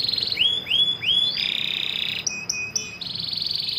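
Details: Female Atlantic canary calling to the male: quick repeated rising whistled notes, then short high upward-flicking notes and a buzzy held note, over a steady high background tone.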